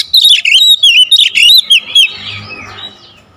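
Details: Magpie-robin singing in the dense 'tembakan rapat' style for a lure recording: a fast run of loud, high whistled notes that slide up and down, with sharp clicks, lasting about two seconds before fading into a faint low hum.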